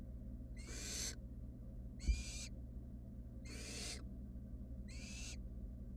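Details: Four evenly spaced, noisy wheezing hisses with a faint rising tone from young wild barn owls, three nestlings lounging in a monitored nest box; a low steady hum runs underneath.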